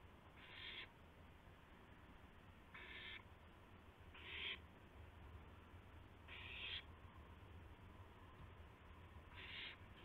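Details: Owl recorded shortly after midnight on 7 April 2016 as a gopher is delivered; five short, noisy screeching bursts spaced about two seconds apart, with steady low rumble underneath.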